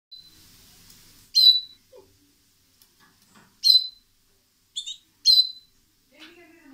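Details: Pet bird, one of a male and female pair kept at home, gives short, sharp, high chirps at irregular intervals, four main bursts, with faint scattered background noises.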